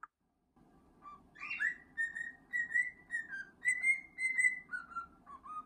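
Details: Indoor male cockatiel whistling a song while receiving gentle scratches, a string of sustained, slightly wavering whistles with a brief upward slur near the start, against a constant low room hum.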